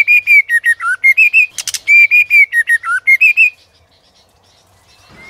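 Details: White-rumped shama in competitive singing, stirred up by a female: loud, clear whistled phrases, fast and repeated, each with quick rising and falling notes, then it stops into near silence.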